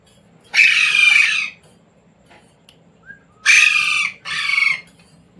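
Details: Pet Indian Ringneck parrot taught to speak words such as "mummy" and "roti roti"; three harsh, loud, broadband bursts, one long then a close pair, separated by quiet room background.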